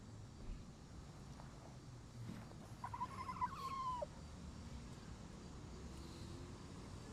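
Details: Backyard chickens sounding the alarm as a bird flies overhead: one drawn-out, harmonic, nasal call held for about a second, level then dipping at the end, after faint short notes, over a low steady rumble.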